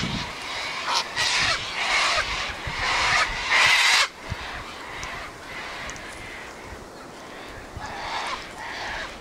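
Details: Gathered Sulphur-crested cockatoos screeching and squawking: a run of loud, harsh broadband screeches building to a long raucous cry near four seconds, then quieter distant squawks from other birds.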